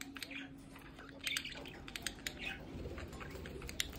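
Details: Pet budgerigars at home near a window give scattered chirps and squeaks over a steady low hum.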